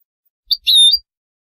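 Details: Moroccan Wedani-style European goldfinch recorded as a song model for teaching young birds: a single high, clipped chirp followed by a longer bright whistled note with a thin overtone, then silence.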